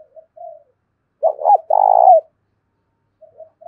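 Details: Spotted dove kept as a decoy, thổ đồng voice style, calling to urge a fight: soft lead-in coos, then two throaty notes and a long pulsing, vibrating coo that falls away, followed by quiet soft notes.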